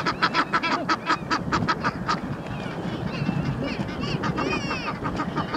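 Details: Egyptian geese on the Round Pond: two males wrestle in a long fight while a mate shouts encouragement; rapid series of harsh, hoarse honks repeated several times a second, with splashing and background noise throughout.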